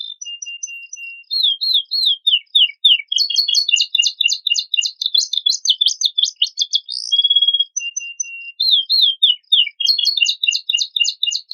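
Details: Canary song with elaborate varied content, played to provoke other birds into singing: high slurred notes, dense rapid trills and a steady whistled tone, phrases repeating in quick bursts.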